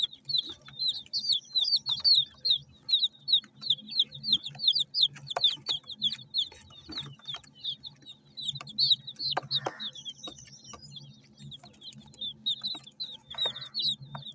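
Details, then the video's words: Feeding multicoloured chicks keep up a dense, continuous stream of shrill peeps, about three each second, several voices overlapping, with occasional soft rustling pecks and a steady low hum in the background. "MURGI HEN CHICKS CHIRPING SOUNDS!!!"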